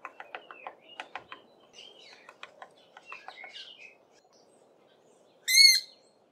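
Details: A Knysna woodpecker pecks for insects and larvae in tiny holes in a branch of a large tree, with quick dry taps and soft high twittering, then gives one loud, high, rasping squeal near the end.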